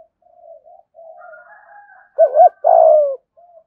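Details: Spotted dove coo in the 'giọng thổ' voice style, a 'gù thúc' coo played to lure wild doves: soft, low, hummed coos at first, then two loud mid-pitched notes, the first wavering, the second longer and gently falling.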